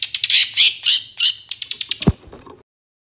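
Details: Cendet master recording for songbird training: a burst of loud, grating squawks, at first spaced then speeding into a rapid stuttering chatter before stopping abruptly.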